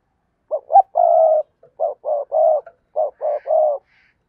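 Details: Spotted dove decoy used to entice wild doves coos rhythmically: short notes leading into long level coos, three phrases in quick succession in a quiet setting.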